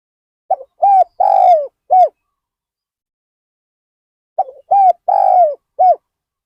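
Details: Spotted dove decoy at Ban Nong Hin, luring wild birds, calling two matching phrases of low mellow coos, a soft lead note then rolling and clipped coos, spaced about four seconds apart.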